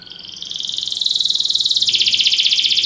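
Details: Belgian canary in song training giving a rapid, steady, high rolling trill that swells in loudness and steps up slightly in pitch partway through, with no other sounds.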